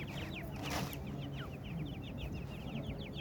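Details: Partridge chicks (teetar) calling: many rapid, short, high chirps with quick downward and upward slurs, overlapping in a continuous busy chatter, over a steady low rumble of background noise.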